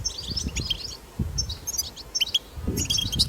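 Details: European goldfinch recorded in the wild giving twittering song: bursts of sharp high chirps and brief trills with short gaps, a soft low rumble underneath.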